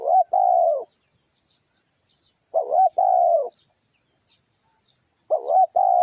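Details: Lure song of a spotted dove. Three matching phrases are repeated roughly every 2.7 seconds, each a brief throaty, wavering coo followed by a longer, even, low hoot. Faint distant chirping is heard between the phrases.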